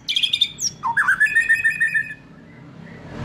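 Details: Young wild-caught white-rumped shama (murai batu) still in spotted juvenile plumage. A quick high trill and a swoop lead into a steady, pulsing whistled phrase, followed by quiet.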